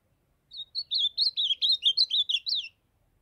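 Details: Northeastern-style song from a young ultramarine grosbeak that has been singing since its brown juvenile plumage: a rapid run of about eleven bright, wavering whistled notes over two seconds, with nothing else audible.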